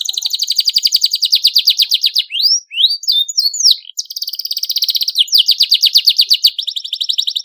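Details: Canary singing to prompt other canaries into song: fast rolling trill of repeated high notes, broken midway by a burst of quick sweeping whistles, then the rapid trill resumes to the end.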